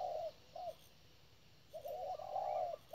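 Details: Spotted dove decoy at a bird trap: a long coo ends, a short note follows, a pause, then a fuller phrase of bent notes and a long sustained coo.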